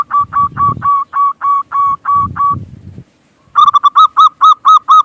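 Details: Zebra dove of a local strain, recorded as a lure to set other birds cooing: an even run of about nine clear hooked coos, a short pause, then a brighter, faster series. Low rumbling noise accompanies the first part.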